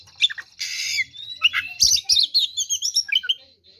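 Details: Oriental magpie-robin in aggressive fighting song, opening with a harsh raspy buzz, then a stream of warbled whistles and twittering notes fading out.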